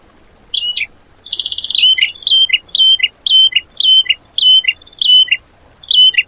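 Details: Tutor song for caged songbirds, 'tembakan' fill-in material: a brief rattle, then a steady series of sharp, downward-sliding whistled notes, about eight in a row at a brisk pace, on a quiet background.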